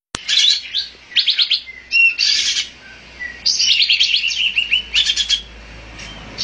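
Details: Olive-winged bulbul giving bursts of rapid, buzzy chattering notes, high and harsh, in clusters about half a second long separated by short pauses, over a quiet low hum.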